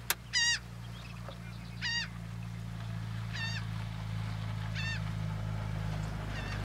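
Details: At Port Mahon, Delaware, on 24 May 2018, a black-bellied plover calls repeatedly: five short, rich harmonic notes spaced about 1.5 seconds apart, the last faint, against a loud low rumble and a sharp click at the start.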